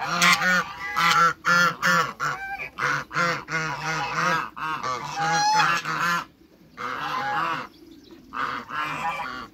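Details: A pair of African geese with other waterbirds in a backyard farm, giving loud, harsh, repeated honks in irregular bursts, about 45 a minute, with short pauses and a brief quieter gap near the end.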